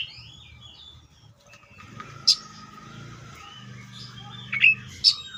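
Seychelles magpie-robin gives a few sharp, high chirps and a thin sustained whistle, spaced out over several seconds, with low murmuring voices underneath.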